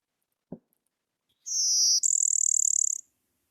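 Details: Blue-winged Warbler, a bird of early successional habitats: a high, thin two-part buzz, a smooth level buzz then a lower, rougher pulsed buzz, after one soft click; otherwise silent.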